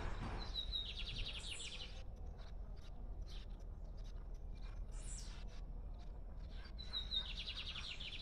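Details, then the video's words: Lined seedeater singing at liberty, two phrases several seconds apart, each a clear high whistle followed by a fast sequence of buzzy chirps, with soft clicks and low rumble between. "Bigodinho cantando Solto"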